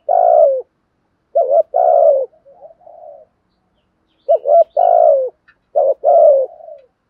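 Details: Spotted dove kept as a lure bird, giving its loud, clear coo to stimulate other doves. Four phrases of quick paired notes ending in a sustained, sliding coo, plus a few soft trailing murmurs.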